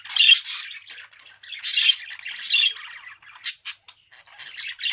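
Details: Budgerigar warbling: a busy run of scratchy chirps, squawks and sharp clicks in uneven bursts, with short pauses near the start and middle.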